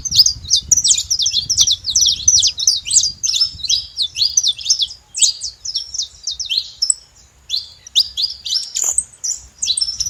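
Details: Wild saffron finch, free in nature, delivering a long run of high, quick chirped and slurred notes, about three a second, briefly pausing midway before resuming, over a faint low background rumble.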